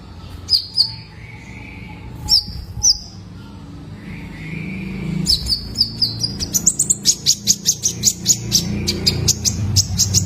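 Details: {'text': "Young male Van Hasselt's sunbird, kept to coax cage birds to sing. At first, a few scattered high chirps with soft warbled notes. These build into a fast, accelerating run of sharp, very high ticking calls over a low background hum."}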